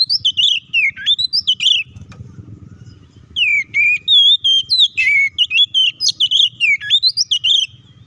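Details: Oriental magpie-robin (kacer) singing its provoking fight song: quick bursts of rising and falling whistles, a noisy pause near two seconds, then a long dense run of sharp, varied notes.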